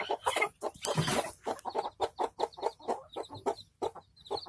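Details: Hen with chicks in a village setting: a loud, breathy cluck burst opens, then a run of low clucks mixed with repeated thin, high chick peeps.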